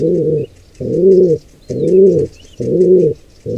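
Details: Wild pigeons during an attack on a nestling squab by an intruder pair: low, hoarse cooing notes in steady pulses about once a second, each half a second long, with faint high chirps of small birds behind.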